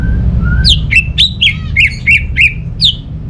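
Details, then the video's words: A caged orange-headed thrush in full song, played to provoke silent birds into singing: two soft low whistles, then a quick string of about nine bright, falling whistled notes. "ANIS MERAH Mau Nyaut Gacor❗❗❗Pancingan Ampuh Buat Burung Dirumah yang lagi Malas Bunyi"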